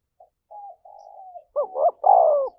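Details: Spotted dove, thổ voice, cooing to provoke a fight. Soft, quiet introductory murmurs swell into a loud phrase: a rising double note, then a sustained hoarse coo that falls away at the end.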